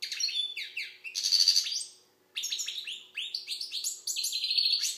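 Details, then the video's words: Algerian goldfinch song: a dense, buzzy trill, then a clear pause, then busy liquid twittering with sharp rising and falling chirps; nothing else audible. "Chardonneret algérienحسون. مقنين"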